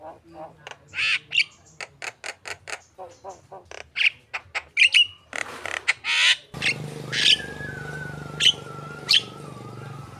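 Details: Javan myna, a prompting song for contest birds, described as a lively, contest-ready singer: rapid sharp clicks and harsh notes, then a long buzzy rising whistle with high chips over a steady hum.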